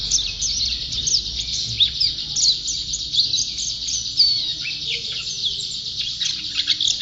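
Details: Champion pleci (white-eye) in full continuous song, a fast jumble of sharp high chirps, upslurred whistles and trills running without break for seven seconds.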